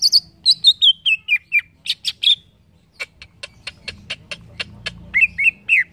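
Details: Green leafbird, a caged bird, singing: a descending run of bright whistled slurs, then rapid dry clicking chips repeated several times a second, ending in short rising whistles, over a faint low hum.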